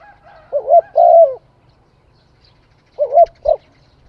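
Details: Spotted dove cooing twice: a full phrase of a wavering note and a long mellow coo, then, about two seconds later, a second phrase ending in a shorter coo with a faint click.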